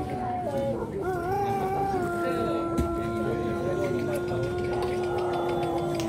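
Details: Pelung rooster at a singing contest, the LPN Cup final, holding a long even crow that starts higher, drops, then stays level for several seconds, with background voices and music.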